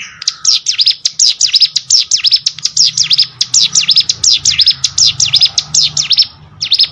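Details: Plain prinia pouring out quick, high chirps, each note sliding down and up, in a continuous dense string lasting about seven seconds; faint low hum throughout.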